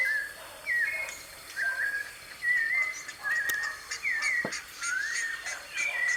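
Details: Wild white-necked thrush song, live recording in nature: varied whistled phrases, some sliding upward, others wavering, given in quick succession with brief gaps; a sharp click partway through.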